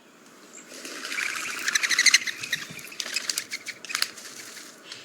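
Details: A Mourning Dove takes off, its wings making a rapid, airy, whistling and clapping flutter that rises to a peak then fades over a few seconds; the noise helps warn other doves.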